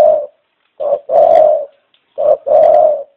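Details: Dove cooing in low, hollow tones: a lone short coo, then two pairs each made of a brief note followed by a longer, steady drawn-out coo, with clean silence between.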